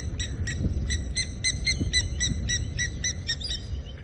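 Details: Water thick-knees give a run of clear, piping whistled notes, about four a second, over low wind rumble, at sunset on April 8 in Djuma Game Reserve, Sabi Sand, South Africa, with cool southerly breeze; blacksmith lapwings also calling.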